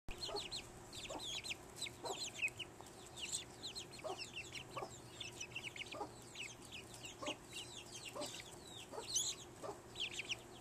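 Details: Chicken chicks on a ranch in Morgan Hill, California, eating hard-boiled egg; a dense chorus of high, thin, downslurred peeps from many chicks, with soft regular pecking taps roughly every second underneath.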